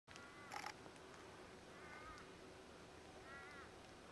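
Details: Pink cockatoo feeding on Aleppo pine cones in the Mallee near Patchewollock, Victoria; faint wavering, harmonic calls, one near the start with a burst of noise, then two longer quavering calls a second or so apart.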